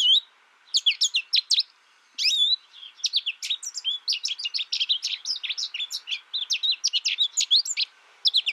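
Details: High, rapid chattering twitter of an American goldfinch, a few short bursts at first, then a steady unbroken stream of sweeping chirps to the end.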